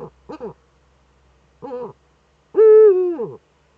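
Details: Nest-camera recording from northern Rhineland-Palatinate, Germany, 5 May 2013: a female Eurasian eagle-owl scratching in the nest niche. A few short notes are followed by one long, loud harmonic call that slides slightly downward at the end.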